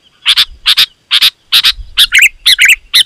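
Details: Sooty-headed bulbul calling to draw in wild bulbuls: paired harsh chirps repeated at a steady pace, turning into quicker, warbling twangy notes in the second half.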